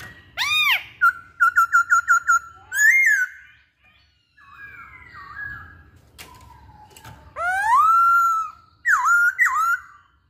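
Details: Caged masked laughingthrush, locally poksay hongkong, singing: a loud arched note, a quick series of six short repeated whistles, a gap, then a long rising whistle and a final looping phrase.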